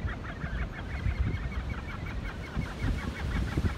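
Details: A crowded chorus of gannets at Hawke's Bay, New Zealand, a continuous rasping, low murmur of overlapping harsh calls, with a rapid series of short higher chirps running along above it.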